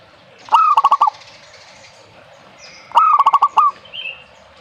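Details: Two rolling cooing phrases from a zebra dove, each a clear opening note running into a fast stutter of pulsed notes. Faint higher chirps from other birds are heard in between.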